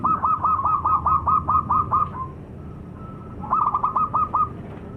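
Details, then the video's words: Local zebra dove (perkutut) delivering a fast run of about nine rapid cooing notes, a brief pause with a faint level tone, then a second quick run of about six notes. "Suara Burung - Perkutut Lokal"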